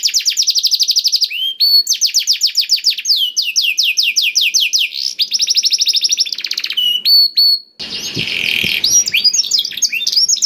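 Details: A black-throated canary delivers long rapid trills and bursts of fast sweeping notes, song used to encourage other canaries to sing, ending in a harsh buzzy section with scattered chirps.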